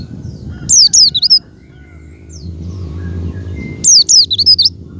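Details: Javan white-eye call played to stimulate a pet white-eye to open its beak and sing: two bursts of piercing, high, down-slurred whistles, each a fast string of four or five wavering notes.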